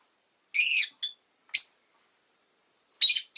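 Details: Rosy-faced lovebird chirping: a harsh, broadband screech followed by short sharp notes, another brief chirp a second later, then a loud rasping burst and a clipped note near the end, with silence between.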